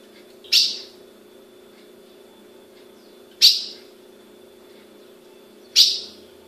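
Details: Three emphatic high chip notes from a captive female ultramarine grosbeak, Brazil, spaced about two and a half seconds apart, each sharp at onset and fading quickly, against a faint continuous hum.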